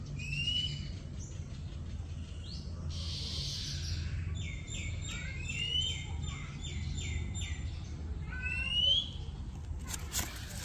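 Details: Oriental magpie-robin, a common Thai bird usually heard singing in early morning and evening, gives a varied run of clear, rising whistles and quick repeated notes over a steady low rumble.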